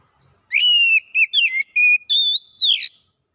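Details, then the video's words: Oriental magpie-robin in loud, chattering song with mimicry: a long level whistle followed by short whistled notes and quick slurs, ending in a rising then falling upward-sweeping whistle, several clean pulses in quick succession. "KACER MALAS BUNYI NYAUT GACOR BONGKAR ISIAN"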